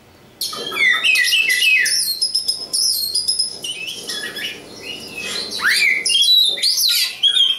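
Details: Oriental magpie-robin, a local East Java bird, in a rich, varied song: fast whistles, sweeping slurs and chattering notes run on continuously with few pauses.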